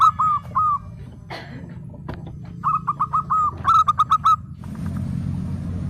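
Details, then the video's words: Local zebra dove singing actively: a couple of single hooked coos, a brief rough sound, then a quick string of clipped cooing notes before the song stops and a low rumble takes over. "PERKUTUT LOKAL GACOR, burung ciri has 💯 % nyaut"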